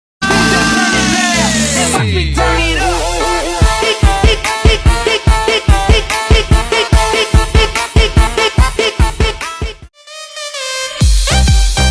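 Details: Loud pop music with beats, synth and voices fills the whole recording, with no animal sounds.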